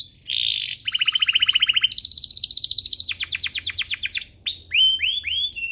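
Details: Canary song used to train young canaries: a short buzzy note, low and high fast rolling trills in turn, then sweeping chirps and clear whistles.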